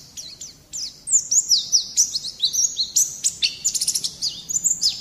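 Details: White-eye song meant to coax young birds into singing: after a short pause, a lively high chatter of quick chirps, slurred whistles and fast trilled bursts running on without a break.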